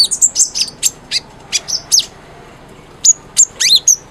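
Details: Energetic brown-throated sunbird (konin) used for prompting mute birds to sing: sharp high chips and short whistled phrases, a pause of about a second, then squeaky descending notes.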